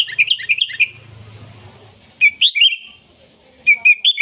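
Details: Sooty-headed bulbul song used to call wild bulbuls: quick runs of liquid, chirping notes, a pause, then further phrases of three to four bright warbled notes, over a low mechanical hum early on.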